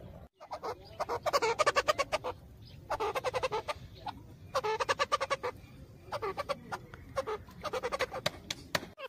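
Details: Grey francolin foraging for food in jungle gives harsh, rapid chattering bursts, each about a second and a half long, repeated four times with short pauses between.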